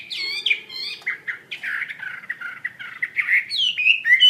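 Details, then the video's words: Chinese hwamei singing a rich, varied run of loud whistles and slurred chattering phrases, high and rapid, with rising whistled notes near the end. "SUARA KICAU BURUNG HWAMEI WAMBI GACOR"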